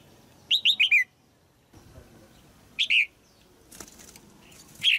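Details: Female red-whiskered bulbul in a cage, singing to stimulate a fully grown male: rapid run of four quick descending whistled notes, then shorter bursts, with some wing flutter or cage rattle.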